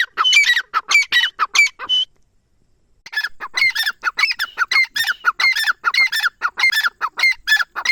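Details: Teetar, the grey francolin, recorded around Dera Ghazi Khan in Pakistan, calling in loud, rasping, rhythmic phrases. One series is followed by a pause of about a second, then the harsh repeated notes resume steadily to the end.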